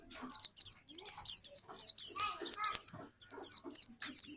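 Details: White-eye song used as a lure to trigger another bird's song: quick clusters of high, sharp, downslurred chirps in short bursts separated by brief gaps, with a few lower squeaky notes mixed in.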